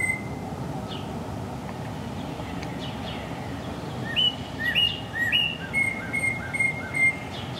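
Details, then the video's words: A northern cardinal gives its spring mating call, a quick series of clear, slurred whistled notes about two per second, while looking for a partner, over a steady background rumble. "Cardinal Bird Mating Call"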